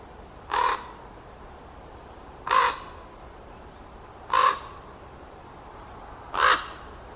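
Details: Common raven on a hot day, 12 August 2023, gives four harsh, hoarse croaks, each short and spaced about two seconds apart, over a quiet background.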